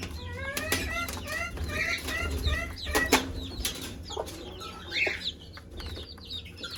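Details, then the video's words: Hen calling chicks to feed; a run of clear, slightly rising chick peeps at first, then scattered higher cheeps, with sharp knocks and rustling and a faint low cluck. "Mother hen call her chicks to eat- chicken sound"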